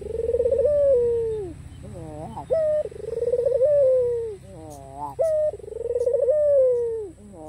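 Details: White ringneck (Barbary) dove cooing in low, mellow, drawn-out phrases, each with a rolling rise and fall, repeated about every two to three seconds; the cooing is used to invite rivals to call.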